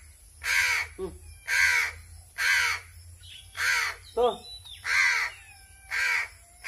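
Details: A hungry crow calls while being fed: regular harsh caws about once a second, loud and grating, with two short bits of human speech between them.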